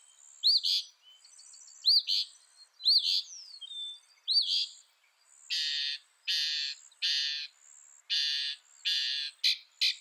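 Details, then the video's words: Northern mockingbird repeating a high arched whistle phrase four times. It then switches to a run of harsh, raspy notes spaced about a second apart, ending in quick sharp chips. "Northern Mockingbird Bird Sound Bird Song"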